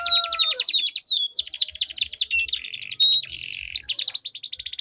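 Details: Two caged canaries dueling with a long rolling song used to coax silent canaries into singing: fast repeated trills of high sweeping notes, with a few clear whistled tones and buzzy rolls running without pause.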